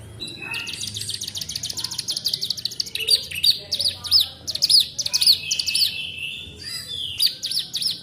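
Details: Mastered canary with mountain ciblek song fill-ins. A sustained high, rattling trill gives way to repeated sharp, swooping whistled notes and chips, with a thin steady whistle near the end.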